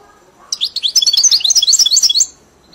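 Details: Caged European goldfinch, a bird tutored on a hybrid's "Mili" song, gives a fast, high twittering run of bright slurred notes that rise and fall, about 1.7 seconds long, after a quiet start.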